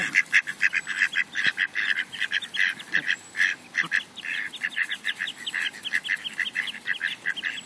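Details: An impatient Egyptian goose strutting and displaying while demanding bread gives rapid, harsh, cackling honks, about one burst per second with overlapping notes, suggesting more than one bird calling.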